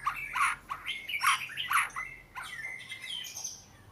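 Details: Oriental magpie-robin giving a varied sequence of slurred whistles mixed with rougher chattering notes, loud at first then softer, thinner phrases with a high drawn-out note near the end.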